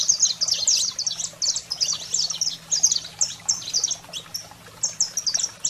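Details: Saffron finch in wild, excited 'fogo selvagem' song, used to stimulate canaries: rapid, dense flurries of piercing high chirps and buzzy slurs, slightly sparser toward the end, faint low hum behind.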